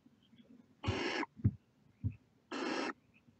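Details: Barn owl chicks at the nest with heads out give two broad, grating hisses a second and a half apart, with soft low thumps between them.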